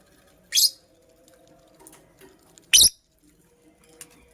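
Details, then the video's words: Female purple lovebird building a nest, heard giving two harsh, high, loud chirps about two seconds apart, each brief and abrupt, with soft rustling and a faint tick in between in an indoor setting. "Purple Lovebird Chirping Sounds"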